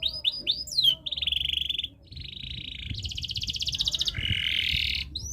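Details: Canary in breeding condition, singing to set other birds singing: a few sweeping notes, then a chain of steady rolling trills shifting in pitch, ending in a loud buzzy roll.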